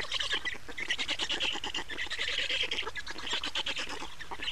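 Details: Black storks in Estonia, recorded 28 May 2019 at the nest while the adults change over and feed; a steady stream of grating, rapidly ticking calls forms several swelling bursts.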